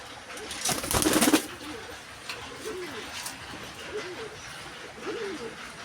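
Giribaz pigeons give soft, low, throaty coos, repeated in short rolling phrases.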